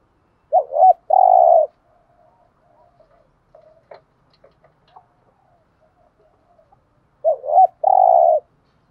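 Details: Decoy spotted dove calling to rouse other doves: a low hooked double coo and a long, buzzy hoo, then a pause with faint clicks and ticks before the same phrase returns.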